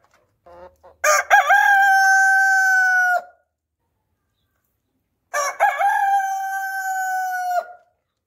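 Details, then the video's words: A rooster crows twice, each a loud, harsh two-second call that breaks up at the start and then holds a long, steady, slightly falling note. "Rooster Sounds"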